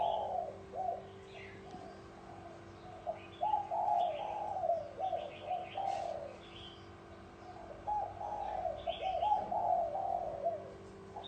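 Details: Repeated cooing of a spotted dove, bronze-bell voice style, used to stir up males and females: soft, mellow low phrases delivered almost continuously in short swelling notes, with scattered high chirps from other birds and a constant background hum.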